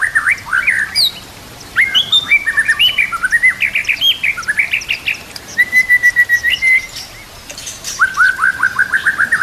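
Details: Training song of a white-rumped shama mixing in kapas tembak and cililin canary phrases: a rising warbled run, a long level whistle, a pause, then a fast series of downslurred notes.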